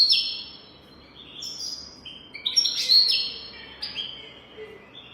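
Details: European goldfinch singing in the golden-throat style for tutoring young goldfinches: a continuous run of high, tinkling twitters and buzzy trills, with some notes sliding and changing pitch, over low background hiss.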